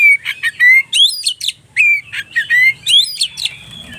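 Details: White-rumped shama song from a lure recording used to arouse and provoke silent shamas into singing, phone-recorded: clear rising whistles alternating with harsh chattering notes, phrases repeated at a quick pace.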